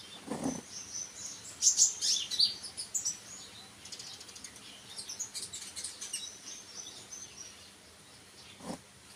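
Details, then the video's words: Sunbird twittering in a dense jumble of high chirps, strongest early on and then fading; two low thumps at the start and end. "burung konin mu denger ini langsung yaut# kicau"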